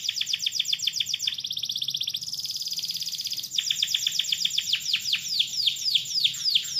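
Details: Canary in long gacor song, meant to set other canaries singing: strings of quick downward chirps, a fine, fast buzzing trill in the middle, then more rapid repeated chirps, continuous and loud.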